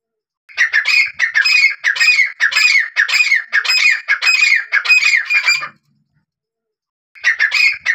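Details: Black francolin call used in hunting: a rapid run of about nine grating, ringing notes, each rising then dropping, then a pause of over a second before another note starts.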